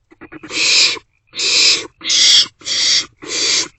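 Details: Nest-box barn owlets at night, 27 March 2024, trading food back and forth. A few soft clicks lead into five loud, rough hissing screeches, each close to half a second long.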